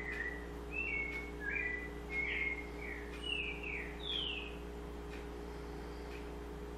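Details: A white-necked thrush phrase recorded in Pernambuco: a quick run of varied whistled notes, several sliding downward, the last one higher, then quiet, over a continuous mechanical hum.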